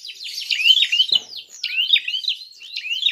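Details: Prinia in a provoking fighting call: rapid, overlapping hooked chirps tumbling one after another, about two notes a second, with a short thump midway through.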